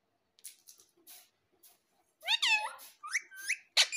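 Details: A pet rose-ringed (ring-necked) parakeet, a talking parrot that says "mummy", chatters in quick, high, warbling syllables with bent, speech-like whistled tones, with faint clicks early on, ending in a sharp screech.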